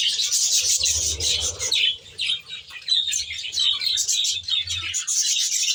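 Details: Budgerigars in an aviary chirping as a flock: bright, scratchy twittering from many birds, briefly thinning out before swelling again into steady chatter, low hum in the background.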